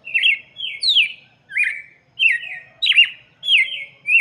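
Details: Song of a red-cowled cardinal for young birds, a brisk run of clear whistled phrases, each dropping in pitch, given in quick succession with short pauses.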